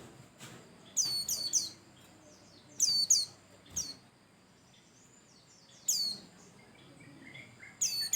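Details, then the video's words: Lively pleci Bustomi white-eye, its song played to get other birds singing. Clusters of three thin, sharply dropping chirps alternate with single notes and short pauses; faint background hiss throughout. "Pancingan Burung pleci Bustomi Cal 1,2,3 Gacor"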